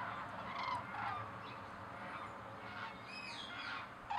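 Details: Cranes calling, with a few rolling, honking calls early on and fainter calls later, over a steady background hiss.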